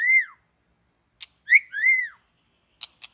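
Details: White-rumped shama heard in forest during trapping: a few clear, arching whistled notes separated by silence, with brief dry clicks between them.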